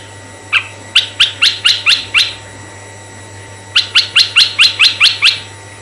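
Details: Red-eyed bulbul voice played to lure other bulbuls, male or female: two bursts of rapid, scratchy rising chirps, about six and eight notes each, separated by a pause of over a second, with a constant low electrical hum.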